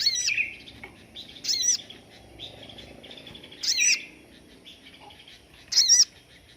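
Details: Sogon song of the standard 'tembakan' type, used as a tutor for other songbirds. Loud ringing high phrases with wavering overtones repeat roughly every two seconds, with quieter chattering in between.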